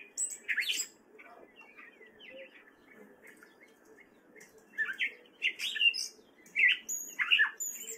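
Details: Singing in spring in Fairfield, Iowa, a wary male gray catbird opens with a sharp squeaky phrase, falls quiet for several seconds, then delivers a varied string of slurred chirps and squeals.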